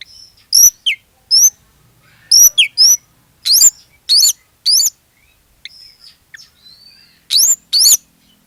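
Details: Gacor song of an Oriental magpie-robin, played as a lure so other magpie-robins join in: crisp, high whistled notes with upward flicks, delivered in short separate bursts with gaps.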